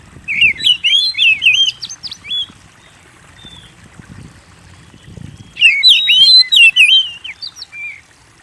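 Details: Oriental magpie-robin in busy song intended to trigger singing in kept birds: a rapid jumble of twisting whistles and high ticks, a quiet spell with low rustling, then another loud tangled phrase.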